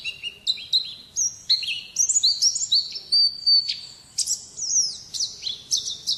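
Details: Ngalas wild-type song of an Oriental white-eye: a fast, varied chain of high whistled notes, slurred upward and downward, with brief trills and sharp chips mixed in, continuous for about six seconds.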